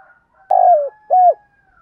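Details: Spotted dove lure bird calling to draw in other doves: two quick falling coos, the first longer and slightly buzzy, the second shorter, with a faint steady tone behind.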